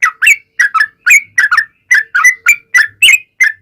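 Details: Yellow-vented bulbul lure song for drawing replies from other bulbuls: bursts of two or three slurred whistled notes separated by short gaps, bubbly and chattering, with a faint low hum in the background.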